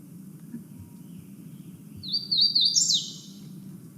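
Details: A Hooded Warbler, a forest bird of canopy gaps, sings a song likened to "tweet, tweet, tweetio": one quick phrase of bright, slurred whistles climbing to a sharp high note before dropping away, over a steady low hum.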